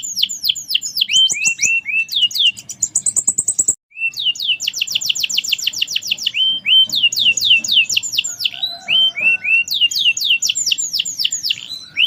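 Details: Canary singing at length; rapid repeated descending high notes, a buzzy high trill, runs of quick chirps and trills, with faint low background noise.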